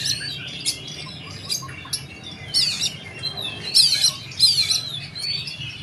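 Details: Tembakan-style song of an oriental magpie-robin: a varied run of high twittering notes that builds into loud, harsh, rasping bursts near the end, over a faint low hum.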